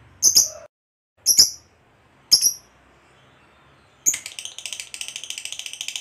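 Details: Fighter-type lovebird in long ngekek chatter used to goad other lovebirds into song: three separate sharp, high squeaky chirps about a second apart, then a rapid rattling stream of high buzzy notes that runs to the end.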